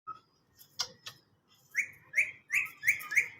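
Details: Green parrot giving a run of short chirps, the later ones louder, harsher and buzzy, repeated about three times a second, after a few faint clicks.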